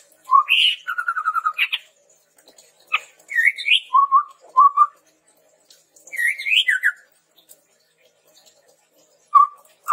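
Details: Chestnut-rumped babbler singing, a recording meant to lure and tutor birds: a rapid trilled whistle, then spaced groups of rising slurred whistles and low double notes, with short pauses and faint clicks.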